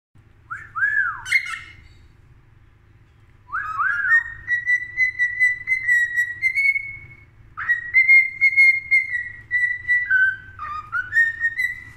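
A cockatiel gives long, clear whistles that rise and hold steady, broken by short swooping notes.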